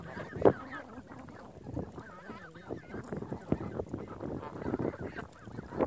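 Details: Geese gathered by a lake: many birds honk and chatter at once in a dense, overlapping babble of nasal calls, with a few louder honks standing out.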